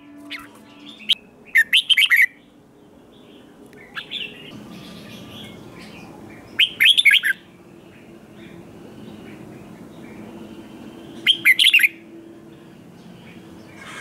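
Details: Red-whiskered bulbul in competitive 'ché' song, aimed at provoking wild-caught birds: three brief bursts of quick, sharp whistled notes roughly every four to five seconds, with soft chattering between.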